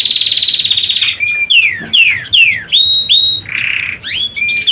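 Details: Canaries finishing their nest for laying eggs; a high rolled trill gives way to a series of clear whistled notes sliding downward, a brief buzzy phrase, then more swooping upward and downward whistles.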